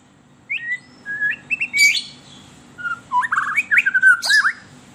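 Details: White-rumped shama song used as a lure to stir captive shamas: varied clear whistled phrases, short rising slurs and sharp chirps in quick bursts, a pause, then a rapid run of bright warbled notes over a faint low hum.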